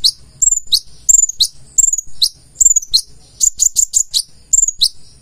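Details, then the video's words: Konin, or purple-throated sunbird, in lively full song with added learned phrases: high sharp downslurred whistles alternate with quick stuttering trills, phrases coming about twice per second with brief gaps. "KONIN GACOR FULL ISIAN"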